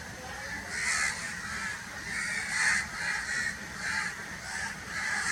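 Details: Crow giving harsh, raspy caws in irregular bursts about half a second long, spaced roughly every second, over a constant background hiss.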